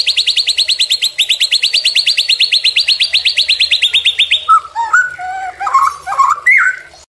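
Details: White-rumped shama tutor and provoking song: a long, rapid, even trill of high repeated notes lasting over four seconds, followed by a varied phrase of lower warbled whistles and short slurred notes.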